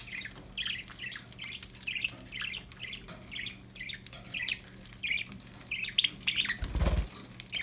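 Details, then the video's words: Happy pet budgerigars chirping steadily, short warbled notes repeated about every third of a second over a constant low hum, with a brief thump near the end. "Happy budgies chirping sound"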